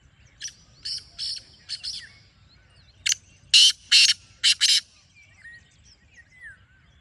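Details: Two phrases from a black francolin, a quieter rasping series followed by a louder harsh one of short and long grating notes, with scattered whistles of other birds afterwards.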